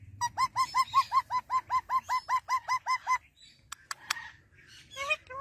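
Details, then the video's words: A male rose-ringed parakeet from Pakistan gives a rapid run of about fourteen harsh, evenly spaced squawking notes over three seconds, followed by a few sharp clicks and short squeaky notes. "Ra Parrot Talking"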